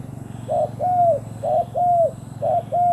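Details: Spotted dove decoy luring wild doves. Three closely spaced cooing pairs, each a short note then a long arched note, are heard over a low hum.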